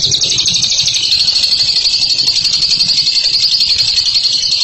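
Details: Bird named as a ngekek champion keeps up a shrill, rapid chattering trill throughout. A low rumbling hum runs underneath.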